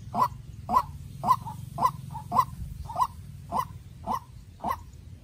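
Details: Young captive-raised decoy White-breasted waterhen calling in a contest with a wild waterhen: loud, mid-pitched hoarse notes repeated about twice a second, each followed by a softer short note, over a low steady hum.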